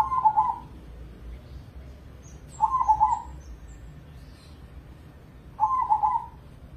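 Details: Crossbred zebra dove, a caged competition bird from Indonesia that sings morning, noon and night. Three trilled, bubbling coo phrases come roughly every three seconds, with faint high chirps from other birds between them.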